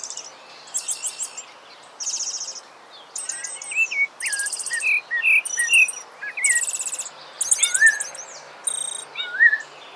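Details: Rufous-bellied Thrush, a Brazilian bird, singing in the wild: short slurred whistled notes, some rising and some falling, come in quick varied phrases, mixed with loud high buzzy trilled bursts every second or so.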